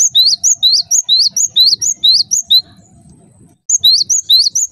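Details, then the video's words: Java sparrow giving a call said to set other Java sparrows calling noisily: rapid sharp high chirps, each rising then dropping, about eleven in under three seconds, a short pause, then three more, over a faint low rumble. "cukup DENGARKAN SUARA INI, gelatik lain LANGSUNG RIBUT"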